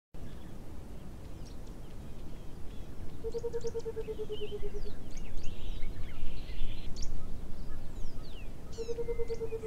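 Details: Burchell's coucal giving a low, hollow bubbling call: a rapid series of even notes that slowly drop in pitch for about two seconds, starting again near the end, with small birds chirping high above and steady background noise.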